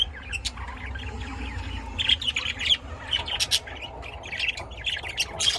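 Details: Pet lovebirds raised at home in Austin, Texas, chirping in quick high notes and scratchy squeaks, clustered bursts coming every fraction of a second over a faint low hum.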